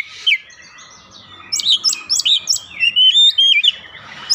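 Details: Oriental magpie-robin lure song for prompting birds to sing: after a quiet start, a run of clear looping whistles and quick chirps repeated several times in close succession, with a soft low hum behind.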